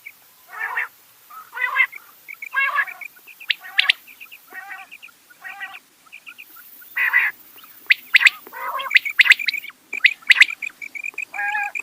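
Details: Rain quail giving repeated harmonic nasal bursts about once a second, mixed with paired short high notes and some sharper clicking notes near the end.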